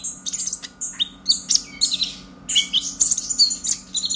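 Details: Young purple-throated sunbird, brown-chested and freshly out of juvenile spotting, practising its song. It gives a dense, fast run of thin high twitters and squeaks with brief pauses, over a low constant electrical hum.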